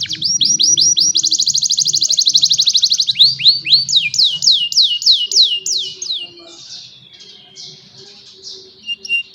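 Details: Young canaries sing to teach lazy canaries, cellphone recording: a loud, quick trill of bright chirps repeated about four per second, shifting into slower swooping downward notes, then quieter scattered twitters.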